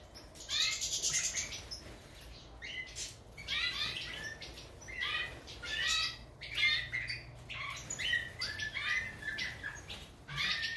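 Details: European goldfinch of the major form giving a lively song of quick tinkling twitters and buzzy notes in bursts about every second, over a steady low background hum.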